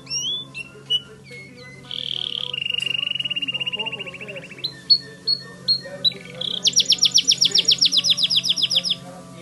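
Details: White Timbrado canary song: quick whistled notes, then a long buzzy roll, a steady trill and a fast pulsing run of rising notes, with faint voices in the background.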